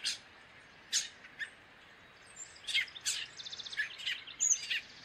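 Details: Gray catbird singing a jumbled series of short, high chirps and squeaky notes separated by brief pauses, ending in a quicker run of rapid clipped notes and a few sharp slurred whistles.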